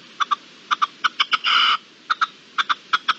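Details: Wild red-legged partridge in March 2022 giving paired short harsh chuck notes in quick succession, with one long loud grating rasp in the middle, over a quiet background.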